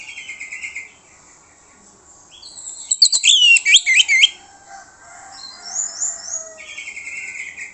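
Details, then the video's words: An orange-headed thrush sings a lure song so that other birds reply: soft repeated whistles, then a loud run of fast, warbled, twisting high notes, followed by more gentle whistled phrases. "PANCINGAN ANIS MERAH MANTAP YANG LAIN LANGSUNG NYAUT"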